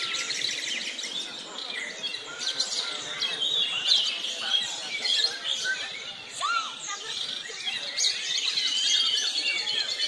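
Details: Several white-rumped shamas at a songbird competition practice session in Jepara sing at once in a dense, high chorus of rapid chirps, trills and whistled phrases, with faint voices in the background.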